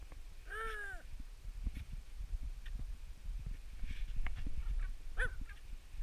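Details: Himalayan snowcock at Machhermo: one drawn-out, arched call with rich harmonics, rising then falling, followed several seconds later by a second short call, over steady low thumping and clopping noises.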